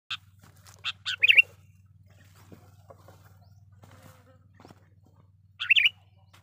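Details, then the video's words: Sooty-headed bulbul, used as a lure call to attract wild bulbuls: short bubbly warbled phrases in separate bursts near the start, with one more phrase after a quiet gap and a steady low hum underneath. "burung kutilang pikat gacor dengan sara panggilan pikat kutilang gacor"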